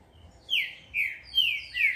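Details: Whistled song of a first-generation captive-bred green-winged saltator during breeder training: four bright notes, each sliding down in pitch, evenly spaced about every half second.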